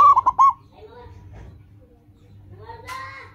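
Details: Local zebra dove phrase used to prompt caged birds to sing quickly: one burst of rolling, bubbly coos at the start, then faint softer calls from other birds over a low hum.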